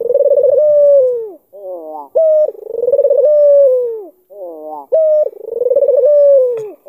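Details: Three bouts of cooing by an albino, black-collared Barbary dove baiting an opponent to sound off: each opens with wavering notes and a sharp accent, then a fast throbbing roll sliding into a long descending note.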